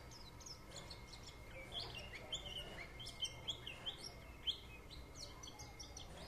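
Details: White-eye warbling in quick, high twittering notes, with short sharp chirps and slurred whistles scattered over a few seconds, and a steady low hum underneath.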